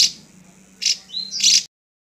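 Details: Drongo voice: three harsh, hissing high bursts, with a brief level whistled note just before the last one, then silence.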